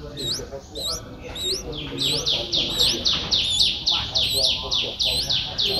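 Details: Nestling Streak-eared Bulbul, seven days old, Ubon Ratchathani, Thailand, 9 April 2023. Rapid high upward-flicking squeaks, about four per second, loud and insistent, with fainter downward-sweeping notes between them.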